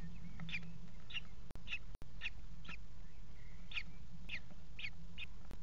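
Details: Four kestrel chicks, the youngest hatched that day, being fed by their mother in a nest box at 17:00 on 28 June 2016, give shrill, harsh begging calls about twice a second over a steady low hum.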